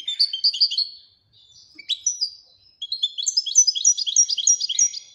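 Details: Widani song style of a Moroccan goldfinch: a short quick trill, a pause with a single sharp note, then a long run of fast, bright, repeated twittering syllables.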